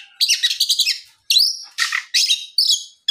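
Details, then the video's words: Oriental magpie-robin singing in the afternoon, used to provoke other magpie-robins into answering: bursts of rich, varied chattering and whistled notes, high-pitched and rapid, broken by short pauses. "SUARA PIKAT BURUNG KACER GACOR NGEPLONG SORE MEMANCING KACER LAIN SUPAYA LEKAS BUNYI NYAUT & GACOR"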